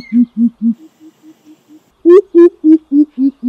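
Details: Greater coucal lure recording with a few deep hoots fading into soft, quiet notes, then a loud, higher run of hollow boop calls, about four per second, dropping slightly in pitch.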